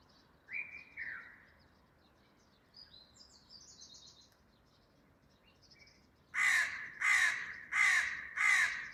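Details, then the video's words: Crow calling loudly in a garden, opening with two softer drawn-out notes and distant chirps, then a run of four loud, harsh caws spaced under a second apart. "A crow, making a sounds loudly"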